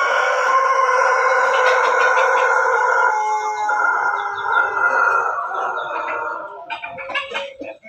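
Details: Crossbred Pelung–Bangkok–Ketawa chicken kept in a backyard gives a very long, sustained crow, an even harmonic tone held for over six seconds with slight wavering, then trailing into a few short broken notes.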